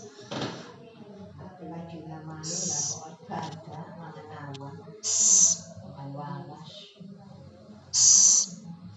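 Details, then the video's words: Owl, known locally as celepuk or ceguk: short, breathy high-pitched screeches, three clear bursts spaced about three seconds apart, with people talking in the background between calls. "Suara burung hantu celepuk/ceguk"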